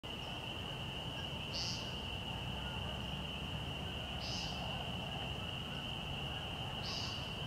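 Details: American woodcock peenting at dusk, about 6:20 pm in March, at Fresh Pond in Delaware Seashore State Park, during its sky-dance display season; three short buzzy nasal peents spaced about 2.7 seconds apart over a steady high tone and low rumble.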